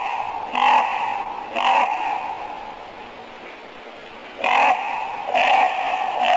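Four loud, harsh, hoarse croaks from a Common Raven, given as two pairs about a second apart, over a low room hum.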